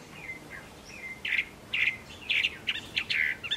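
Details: Chinese hwamei singing cheerfully in the late afternoon on 15 April 2024: bright, high whistled phrases, short rich notes and slurs in quick bursts, over soft steady hiss.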